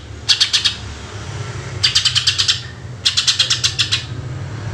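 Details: Greater green leafbird in 'tembakan' shooting song for luring birds. A short run of quick, high, ticking notes is followed by two longer runs of about eight pulses each, over a constant low hum.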